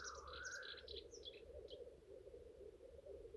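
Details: Black grouse at a lek during courtship display: a steady low bubbling, cooing chorus runs throughout, overlaid by a rising hissed note and several brief higher chirps in the first two seconds.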